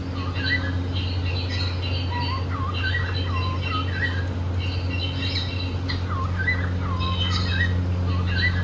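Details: A pet cockatiel pair, described as happy and playing, sings short looping whistled notes with rough overtones. The notes rise and fall in quick bursts of several per second over a steady low hum.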